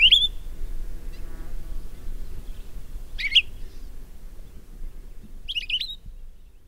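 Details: Palila, an endangered Hawaiian bird: three short, clear, warbled phrases with rising and falling whistles, spaced a few seconds apart over a low rumbling background.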